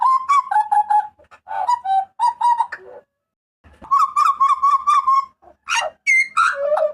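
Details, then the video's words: Papuan butcherbird with a powerful, shrill voice: fast chains of bright, even whistled notes broken by a short pause, ending in sharp rising and falling squeals. Nothing else audible. "TERIAKAN MAUT BURUNG JAGAL PAPUA"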